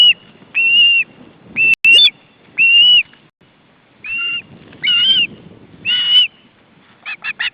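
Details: Hungry young ospreys at the nest in August 2012 when the male brings fish: drawn-out whistled notes, each slurring up then down, spaced about a second apart, finishing with a quick run of sharp chips.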